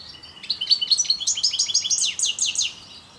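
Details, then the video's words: Continuous rapid goldfinch twittering from the parva subspecies, a dense, even series of sharp, bright chirps about eight per second, fading out in the last half second. "parva putter zang. chant chardonneret parva"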